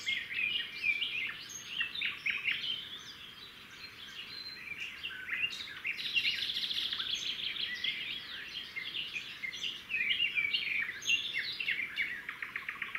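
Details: Red-backed shrike pair at their nest by a road, 13 June 2016; the male brought a grasshopper and the female fed it to the young. Dense, scratchy chattering comes in quick bursts, ending in rapid buzzy notes, over a steady low hiss.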